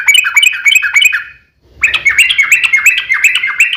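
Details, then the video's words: Yellow-vented bulbul fighting song used to provoke other birds: a burst of rapid chattering whistled notes, a brief silent gap, then another fast, dense run of bubbly slurred phrases. "KICAU SUARA trucukan gacor TARUNG ROPEL PANJANG"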